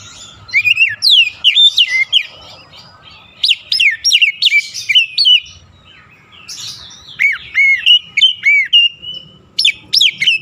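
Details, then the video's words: Oriental magpie-robin stimulating song for a stressed caged bird: lively runs of sharp, sweeping whistles, a pause, then a phrase of repeated looped notes ending in more bright chips. "KICAUAN PEMIKAT DAN PERANGSANG BUNYI | Kacer stres macet bunyi langsung gacor"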